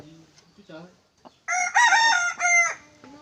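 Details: Red junglefowl kept as a decoy, praised for loud, strong crowing: after a few soft low notes and a short pause, a ringing two-part crow lasting just over a second and ending abruptly.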